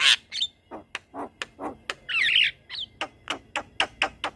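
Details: A Javan myna delivers a lively rolling song meant as a teaching master for other myna species: a steady string of short, harsh, dry notes about every quarter second, broken once by a scratchy, squealing, buzzy burst.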